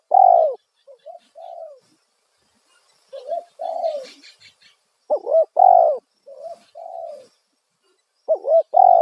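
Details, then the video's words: Spotted dove giving loud coo phrases to lure wild doves, each a hooked note and long downward-curving coo, interspersed with quieter short coos, and faint chattering of small birds between phrases. "Panggilan suara tekukur kuk satu suara lantang auto burung liar respon"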